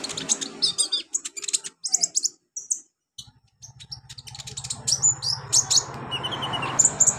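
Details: Olive-backed sunbird song for teaching young captive birds: rapid high twittering bursts, a short pause, then renewed sharp chirps and a descending string of thin whistled notes over a low hum.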